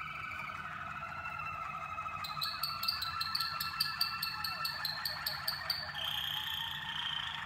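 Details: Caged Waterslager canaries being trained in song, combined to build harmony and depth; smooth low rolling tones, then a fast, even pulsed trill for several seconds, ending in a long high whistled note.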